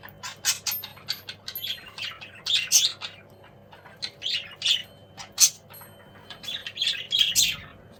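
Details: Juvenile cockatiels calling while at play, a dense jumble of short high chirps and squawks repeated irregularly over a faint background hum.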